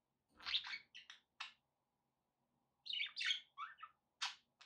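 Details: Budgies kept as pets chirp and warble in two lively groups of short, rising and falling notes, with a silent gap between them.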